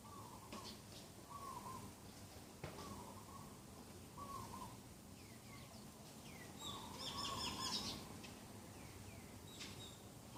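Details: Morning birdsong under a clear sky on 27 September 2021: short flat notes repeated about every second, joined by thin rising chirps and a brief twittering burst midway, over a faint background hum.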